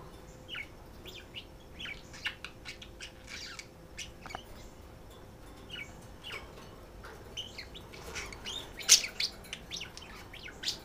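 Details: Female and male pet budgerigars flirting and calling to each other as they are put up for the night. Rapid chattering warble of clicks, squeaks and short chirps runs throughout, with one louder shrill note near the end.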